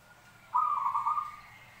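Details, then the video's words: Zebra dove giving a single soft, trilling coo lasting under a second, steady in pitch with a gentle rolling texture, against a quiet, faintly humming background. "suara perkutut campuran"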